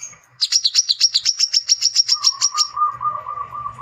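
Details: Male brown-throated sunbird challenging rivals, used as a lure call: a rapid chatter of sharp, high notes at about six per second for two seconds, then a steady lower pulsing tone takes over.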